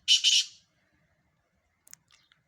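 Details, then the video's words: Black francolin giving two quick harsh, buzzy notes, the second slightly longer, then fading, with a few faint high ticks about a second and a half later in an otherwise quiet setting. "مکس کالے تیتروں کی مکس آوازیں"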